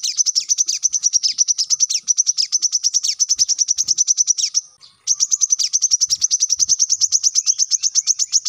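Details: Energetic brown-throated sunbird singing the dense 'tembakan rapat' style used to tutor captive birds: an almost unbroken stream of piercing high chips, rapid and even, with one brief gap midway.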